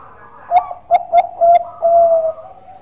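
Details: Bangkok-type zebra dove (perkutut) singing a relaxed, melodious lure song: a sharp opening coo, two short clipped notes, then two long level coos with a softer low tail, all in one mellow low-pitched phrase.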